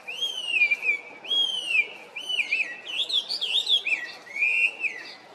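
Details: Chinese hwamei delivering loud, drawn-out whistled notes that bend downward, followed by faster jumbled warbling phrases climbing higher, then a final long slurred whistle; rich and melodic over light background noise.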